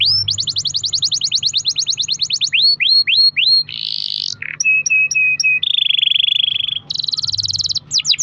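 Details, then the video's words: Long-roll canary song played as a lure so other canaries sing: fast high trill, a series of swooping notes, a rising buzz, sharp staccato notes, a low steady roll and a bright high trill. "kenari gacor ROL PANJANG buat pancingan kenari agar bunyi"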